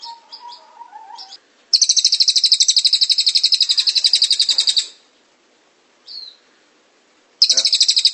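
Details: Cililin singing a long rolling trill (ngrol) used as a training song for other birds: rapid, even, high buzzy notes repeated about eight times a second for three seconds, then a short rising note and a new trill.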